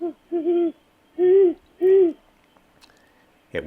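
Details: Male great horned owl of a courting pair, calling at a live oak nest site at night in mid-January 2020: low, mellow hoots in a quick series of four notes, each about half a second long, with a faint click at the end.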